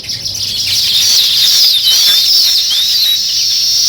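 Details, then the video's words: Weaver birds building nests; a dense, continuous sizzling chatter of high, thin twittering notes with overlapping squeaky slurs, loud and unbroken throughout. "Natural Sparrow Chirping Sounds | Weaver Birds Building Nest"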